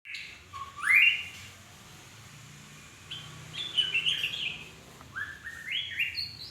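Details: Magpie-robin singing: a bright rising whistle near one second, then quieter warbled phrases and a run of short stepped notes climbing toward the end, over faint low background hum.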